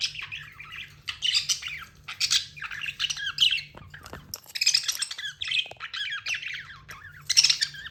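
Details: Budgie warbling steadily with buzzy, rasping chatter and sharp chirps, broken by a clicking scratch midway, then more squawky bursts toward the end over low hum.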